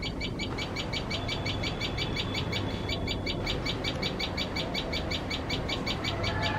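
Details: Tailorbird feeding its chicks scolds out of fear of cats: loud, evenly paced high-pitched chips, close to three per second, running throughout, with low background noise.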